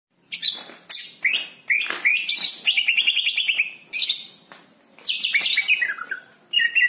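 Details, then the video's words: Greater green leafbird song: loud, varied bursts of bright, buzzy, chattering notes mixed with clear whistles, some rising and some falling. The phrases come in quick runs separated by short pauses. "Cucak ijo mana yang gang langsung trek dengerin ini...."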